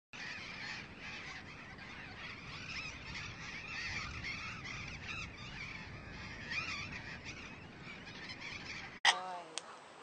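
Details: A pair of Burrowing Parrots at their nest site in a nesting colony in Argentina; a steady chorus of overlapping harsh, grating screeches, ending with one loud, ringing squawk close by.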